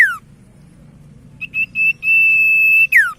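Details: Common iora song meant to lure silent ioras into singing: a falling slur, a quiet pause, then quickening short high notes that run into a long, steady whistle ending in a sharp drop.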